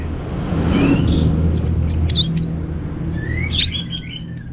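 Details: Orange-headed thrush singing in lively 'teler' style: scattered sharp, high chirps and twisting whistled notes, then a quick run of thin, very high repeated notes, against a low rumbling background.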